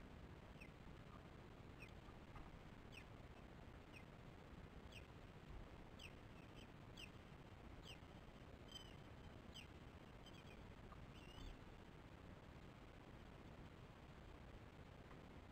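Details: Early morning at an osprey nest as the female feeds the chicks. Faint, high, arching whistled chirps are repeated irregularly over strong low background rumble.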